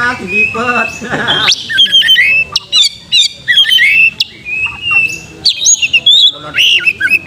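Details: Oriental magpie-robin song used to stir young birds into singing, fighting and tail-spreading; opens with a low nasal buzzy phrase, then rapid bright whistles, sharp chips and sliding notes in quick succession.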